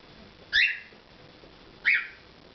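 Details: Pet cockatiel: two separate loud whistled notes, each sliding down slightly, about one and a half seconds apart, over quiet background.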